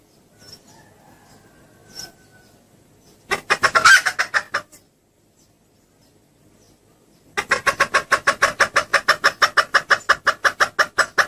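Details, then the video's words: Female red junglefowl lure call used to bring males near: faint notes, a loud cluster of harsh clucks, a silent gap, then a long, fast series of rhythmic rasping clucks. "suara pikat ayam hutan betina"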